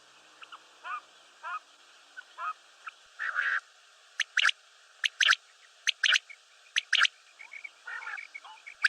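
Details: Common Quail (Coturnix coturnix) gives a few soft, nasal, lower notes, then sharp, high, clipped notes in quick pairs about once a second.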